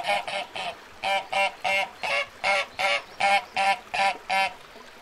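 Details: Duck at a lagoon giving a steady run of about a dozen loud, nasal quacks, each short and evenly spaced, some in quick pairs, with no other clear sounds.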